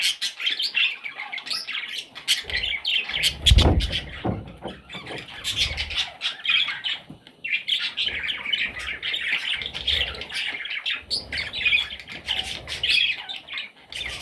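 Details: Baby parrots keep up a raspy, twittering chorus of squeaky calls that swells and fades in waves, broken by a few dull knocks and rustles early on and a short quieter gap midway.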